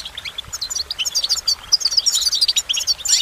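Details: Goldfinch in full song, pouring out fast, high, chattering twitters and liquid trills that grow louder toward the end.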